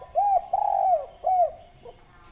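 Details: Spotted dove giving three smooth coos, a rounded note, a longer sustained descending coo and a closing arched note, followed by a faint short sound.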